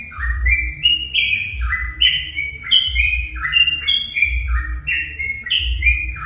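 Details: Sooty-headed bulbul song played to provoke other bulbuls: rapid, cheerful whistled notes in stepped runs, one phrase flowing into the next, accompanied by regular low thudding sounds.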